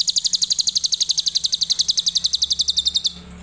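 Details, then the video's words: Adult lovebird delivering a tembakan Cililin style song: one unbroken, very fast trill of sharp high buzzy pulses running for about three seconds at an even pace, with a faint low hum underneath. "Love Bird Dewasa // Tembakan Cililin"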